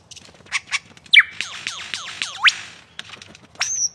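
Lyrebird mimicking other sounds: two short chips, then a fast run of about six descending whistled sweeps, ending with a sharp rising note.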